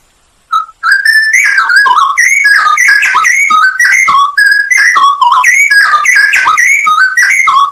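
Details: Masteran training recording of straw-headed bulbul with full fill-ins and shot notes: a loud, liquid, continuous run of warbled whistles, rapidly rising and dropping, several notes per second after a short opening note.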